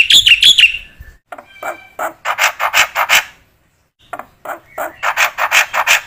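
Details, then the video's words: Song of a black-winged myna for training other birds: quick high whistled notes, then rough, raspy bursts in uneven groups separated by short silences. "MASTERAN BURUNG JALAK PUTIH GACOR"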